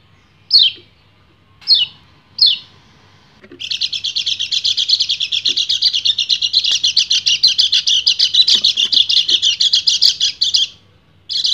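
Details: Male white-eye (kecial kuning) in breeding condition singing in the ngebren, ngecir style to call a female. Three sharp downslurred notes come first, then a long, unbroken, rapid high trill of chattering notes lasting about seven seconds.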